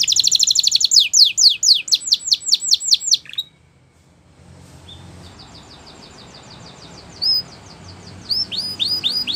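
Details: A Belgian canary used to tutor young canaries gives a run of rapid falling whistled notes, pauses amid background hiss, then resumes softly with quiet trills and rising chirps.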